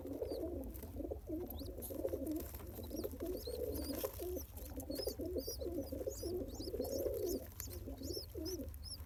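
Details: Newborn pigeon, one day old, fed by its father in the pumping manner; dense, rough, low warbling pulses run continuously while thin, high chirps from other small birds sound repeatedly in the background.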